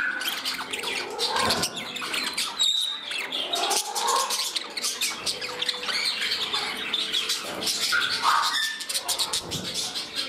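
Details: Several pet parrots chattering indoors in a new home as one bird grows temperamental and another courts a companion; dense overlapping chirps and warbles with short rising whistles, continuous throughout.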